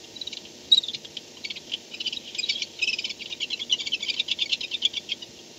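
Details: Barn owl returning to the nest at night, 4:38 am, 2-10-16, nest-camera sound; a loud click, then rapid high chattering twitters in dense, accelerating runs filling most of the clip.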